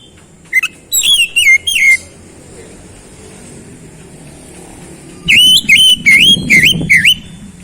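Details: Oriental magpie-robin repeating short looping whistled notes, a burst of five near 1 second, a pause, then six more from about 5 seconds, each note dipping and rising, with faint background rumble.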